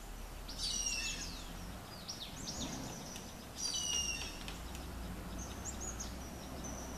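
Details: Greater Flameback (golden-backed woodpecker) at Achanakmar Tiger Reserve: two high, dense rattling bursts about three seconds apart, each under a second, with other small birds chirping and a low rural hum beneath.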